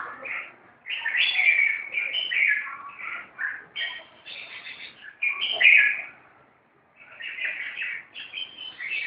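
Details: Fighting red-whiskered bulbuls give bursts of scratchy, warbling chatter in clusters, pausing briefly near the middle and near seven seconds before resuming, the notes crowded and overlapping.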